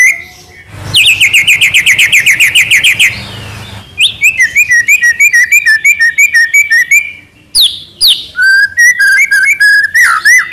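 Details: White-rumped shama tutor song full of fill-ins: a long fast series of repeated high whistled notes, then a steady stream of lower chip notes, followed by sweeping varied whistled phrases.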